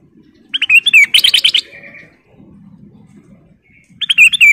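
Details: Lively song of a female sooty-headed bulbul, a fast string of bubbly, warbled chirps rising and falling, repeated as a second shorter phrase about three seconds later, over faint low background noise.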